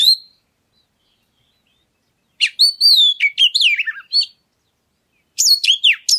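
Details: Oriental magpie-robin singing as a lure to get other birds singing: a lone whistle, then a long silence, then a rich phrase of rising and falling whistles and chirps, then another burst near the end.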